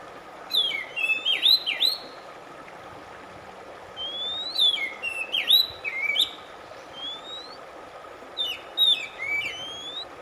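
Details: Song of an Oriental magpie-robin, used as relaxation for a stressed bird: three phrases of bright whistles, each a rising slur followed by looping up-and-down notes, with a low steady hum underneath.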